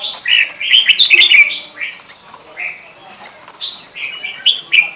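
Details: Kutilang, the sooty-headed bulbul, singing busily as a lure: quick clusters of bright, liquid, gurgling whistles, then spaced single warbled phrases rising and falling, each under half a second.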